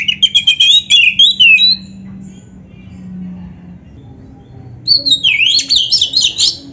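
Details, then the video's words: Kacer, the Oriental magpie-robin, in vigorous song intended to get other magpie-robins answering; a rapid run of bright chirped whistles, a pause of about three seconds, then a fresh burst of zigzagging high notes. "SUARA BURUNG KACER GACOR ISIAN JUARA ‼️ - Stel suara ini BIKIN KACER LAIN CEPAT NYAUT"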